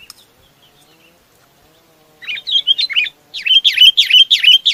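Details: Sooty-headed bulbul calling its flock: after a quiet start, a run of bubbly, warbling whistled notes comes in quick succession, then a louder, rhythmic series of looping phrases repeated about three times a second.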